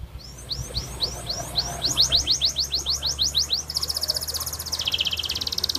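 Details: Canary kept in Comal, Pemalang, Central Java, Indonesia, delivering a series of about fifteen quick rising whistled notes that speed up, followed by a very high, dense, buzzy trill that shifts lower near the end, over steady background noise.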